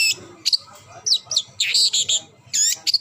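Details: Short burst of long-tailed shrike song: sharp chirps and a run of loud, harsh squeaky notes, then a pair of bright whistled phrases at the close.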